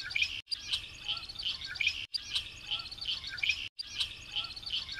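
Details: Variable oriole (melro de asas) in full song: a dense, bright warble of whistled and chirping notes, played as a repeating loop broken by brief silent gaps roughly every one and a half seconds.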